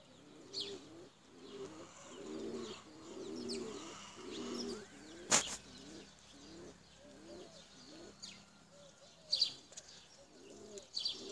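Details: Tumbler pigeons, a domestic flying breed, give a steady run of soft, low, bubbling coos, each about half a second long. A sharp click interrupts midway, and scattered high chirps come from smaller birds.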